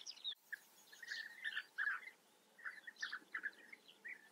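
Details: European bee-eaters calling at their colony in the Eifel, Germany: scattered soft, rolling trilled notes, some paired, separated by short pauses, with a few higher chirps.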